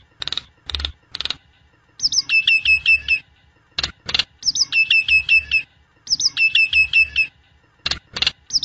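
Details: Nias hill myna gives loud, clear whistled phrases of rapid stepped notes, each about a second long, between sharp knocking clicks; used as a lure call to get other Nias mynas singing.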